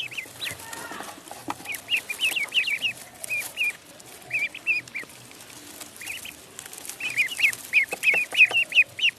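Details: Pond duckling peeping in rapid runs of high chirps, a busy burst early, a quieter gap, then a dense final flurry of sharp notes.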